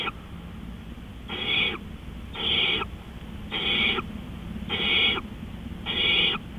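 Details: Owl in the night, 3:15 AM, 20 April 2013, uttering five harsh, buzzy hisses about a second apart, each roughly half a second long, over a faint steady hum.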